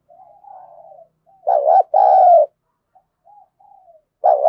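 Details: Spotted dove contest cooing in the thổ voice, used to spur rivals: soft low coos lead into one loud phrase of a quick double note and a long mellow note, then faint coos and another phrase beginning.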